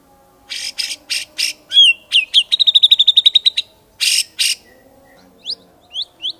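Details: White-rumped shama song mixing harsh buzzy notes, slurred whistles and a rapid even trill of high notes, followed by a few thin rising whistles.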